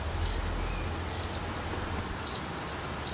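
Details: White wagtail calling shortly before dusk on 12 April 2017: sharp, high, two-note calls, each pair quick and clipped, repeated about once a second, four pairs in all, over a steady low background rumble.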